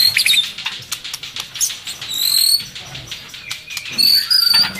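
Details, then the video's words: White-rumped shama, a female in breeding condition calling to attract males while feeding its chick: thin high whistled notes, some sliding down, scattered among quick clicks and chirps. "Suara Pancingan Murai Birahi untuk pancing Jantan Birahi"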